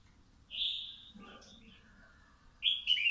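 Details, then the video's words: A young red-whiskered bulbul, two months caged, sunning in the morning, gives bright, slurred whistled phrases, a strong opening burst and another near the end, with a faint low murmur between. "Chào mào hót hay"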